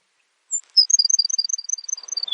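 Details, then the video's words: Song of a Baird's sparrow, opening with one thin high note before a long, bouncing series of high notes alternating in pitch and dropping to a lower closing note. "Baird's Sparrow Bird Sound"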